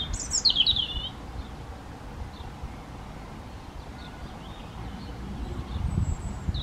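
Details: European robin defending territory in breeding season, singing back at surrounding robins: one loud high tumbling phrase of quick sliding notes in the first second, then faint scattered distant song over low background rumble.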